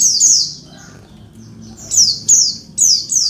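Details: Female Oriental white-eye calling males to make them sing: piercing falling chirps at the start, a quiet stretch, then four quick shrill buzzy notes in close succession.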